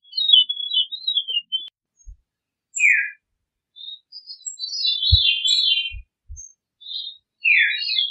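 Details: Veery song with high, thin wavering notes, downslurred whistles and a rolling trilled phrase, separated by short pauses; a few faint low knocks are also audible.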